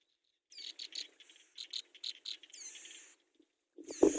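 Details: Brown Prinia chicks begging while the mother brings food to the nest: bursts of high, sharp pulsed notes and a few quick upslurred squeaks, broken by pauses, ending in a loud low rustle.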